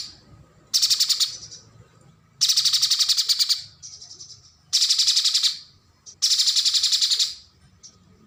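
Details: Streaked spiderhunter song, used to tutor contest birds: four bursts of fast, dry, high-pitched stuttering notes, each lasting about a second and tailing off, with pauses of roughly a second between them.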